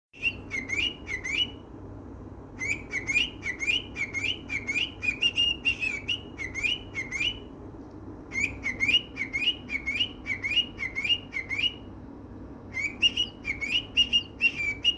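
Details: A pet cockatiel, after seeing a melon, sings quick runs of bright, rising whistled notes in bursts separated by short pauses.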